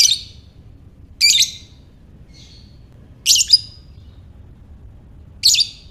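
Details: Ngekek-style lovebird, used to stimulate other lovebirds, gives four sharp, piercing squeaky bursts about two seconds apart, one of them doubled, with a faint short chirp in between and a soft background hum.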